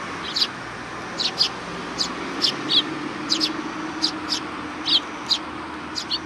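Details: Sparrows gathered in welcome at a Tenmangu shrine, July 2020: thin, high chirps repeated roughly every half second to second, evenly spaced, with a low steady hum and faint traffic-like rumble underneath.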